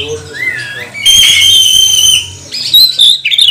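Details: Provoking song of a magpie-robin meant to make other magpie-robins sing; a curving whistle, then a long steady bright whistle lasting about a second, followed by quick chips and twitters.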